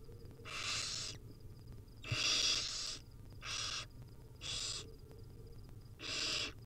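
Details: Barn owl nestlings, wild, calling while the mother passes them small food pieces: five rasping, hissing screeches, each under a second, spaced unevenly, over low electrical hum.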